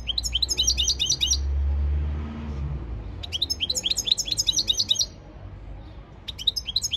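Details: Training song from a European goldfinch: quick trains of high falling notes in three phrases with short pauses between them, over a low rumble like a passing car.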